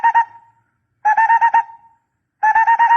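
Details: Barbet calling: bursts of rapid, repeated hollow notes with a clear tone, each burst lasting about half a second and repeated roughly every one to one and a half seconds. Silent between bursts, no other sounds.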